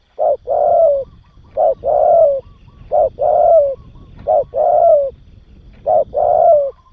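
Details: Training coos of a spotted dove, intended to excite young birds: a steady run of five phrases roughly every 1.3 seconds, each a short hoot followed by a long, mellow, gently descending coo, with faint low rumble beneath.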